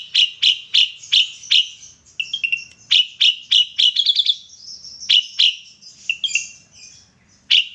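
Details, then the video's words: An ashy drongo singing vigorously, its song filled with kapas tembak material: a rapid series of loud, piercing notes of even pitch, broken by a softer twittering passage, then more sharp notes spaced out toward the end. "srigunting abu abu mata putih gacor isian kapas tembak"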